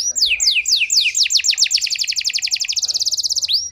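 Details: Canary song played to provoke a sluggish canary into singing: descending whistled notes accelerating into a long, very rapid, evenly pulsed trill, ending with a single rising sweep.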